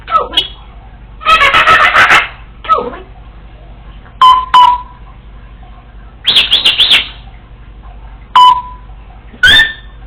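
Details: Congo African Grey parrot, a female alone indoors, running through imitated bird calls: bursts of loud buzzy chatter alternating with short clear whistles that drop in pitch, in several phrases spread over ten seconds.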